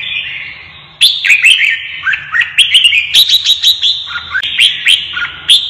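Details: Red-whiskered bulbul goaded into singing as if fighting: quiet opening second, then loud chattering whistled phrases with quick upward and downward slides, tightly packed until the end.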